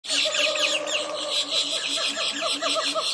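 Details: A group of bushy-crested hornbills shading and preening inside the canopy in the hot afternoon at Lower Kinabatangan gives a dense, continuous chorus of overlapping yelping, squealing notes, several birds calling over one another without pause.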